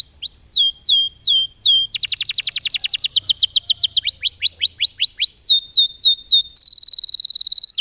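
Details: Persistently singing loper canary: sweeping downslurred whistles that switch to a fast rolling trill, then to slower slurred notes, ending in a rapid high buzzy trill.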